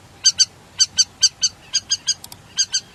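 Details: River lapwing giving loud, clipped metallic call notes, mostly in pairs, repeated roughly every half second over a faint low rumble.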